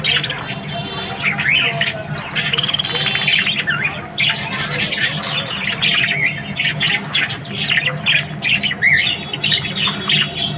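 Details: Several Australian budgies chatter in the morning with raspy squawks, buzzy warbles and wavering whistles, a continuous overlapping flock sound over a low hum.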